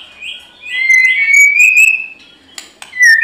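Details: White-rumped shama, described as singing to fight, giving steady clear whistles rising into a sustained note with overlapping trills, followed by clicks and a final downslurred whistle.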